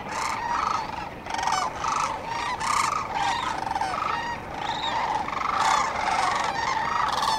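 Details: A gathering of sandhill cranes at the Cosumnes River at dawn gives dense, overlapping purring bugles, rattling and resonant, coming in waves nearly every second with no pauses, over faint background hiss.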